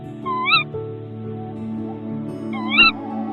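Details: Female tawny owl (Strix aluco), back at her nest after settling in, gives two sharp, rising-then-falling 'ke-wick' contact calls about two seconds apart to her mate; soft background music. Filmed in 2023.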